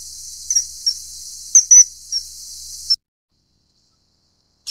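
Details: [1, 'likely', 'call', 'Common kingfisher (Alcedo atthis) giving a few short, shrill high whistles in the first three seconds over a steady background hiss, then silence with a brief burst at the very end.']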